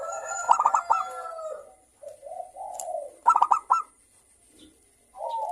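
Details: Zebra doves of the local type singing in the morning in the manggung style: clipped, ringing coo bursts at the start and again about three seconds later, separated by low, purring, drawn-out coos, then a softer closing phrase.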